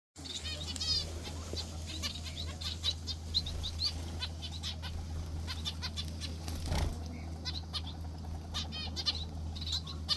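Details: Finch kept in an aviary, recorded in the morning: short high chirps and harmonic tweets scattered through, some in quick clusters, with bursts of wing flapping and a steady low hum underneath.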